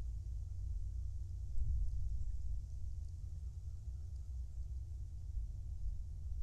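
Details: Steady low rumble from the Kisatchie National Forest in the early morning of a December day, with no animal voices, only a dull vehicle-like drone throughout.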